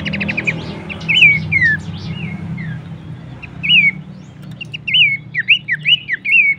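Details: Horsfield's babbler giving a rich song meant for teaching caged songbirds: looping whistled phrases, falling slurs and a closing burst of quick, repeated rising-falling notes. Faint high twittering from other birds and a steady low hum behind.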